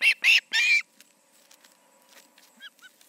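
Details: Osprey at the Charlo nest, evening of August 20, 2019, two birds present; three loud shrill whistled notes open, followed by faint scattered chirps in the background.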